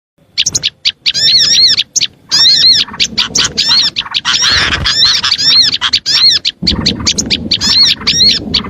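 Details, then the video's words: Lure recording for attracting small birds: a dense chorus of sharp chirps and arched, whistled notes in rapid bursts, with brief gaps and a low rumbling background from about six and a half seconds. "AUDIO SUARA PIKAT BURUNG KECIL"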